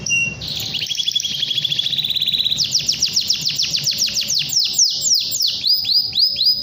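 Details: Long canary song aimed at a rival: a fast rattling trill slides gradually lower, then gives way to a run of loud sweeping notes that fall in pitch and repeat several times a second.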